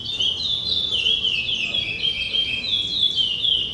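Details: Chestnut-bellied seed finch (curió) singing a continuous, fast warbled song of high, sweet whistles sliding up and down without pause, with a faint low background hum.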